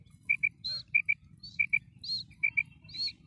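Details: Female common quail calling: clear paired high notes repeated about every half second to second, alternating with slightly higher, longer single notes, over a low steady background hum.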